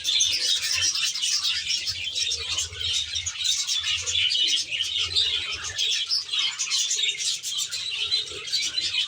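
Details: Aviary budgerigars in full chorus: an unbroken wash of sharp chirps, clicks and warbling phrases from many birds, steady in loudness throughout, with a faint low hum.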